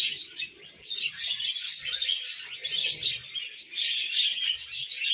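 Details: Several pet budgerigars keep up loud, nonstop chatter: rapid chirps, squeaks and warbled phrases overlap throughout, over soft low background knocks.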